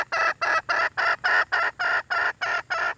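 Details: Red junglefowl hen giving a rapid, even run of about ten loud, harsh, clucking notes in three seconds, steady in pitch and spacing.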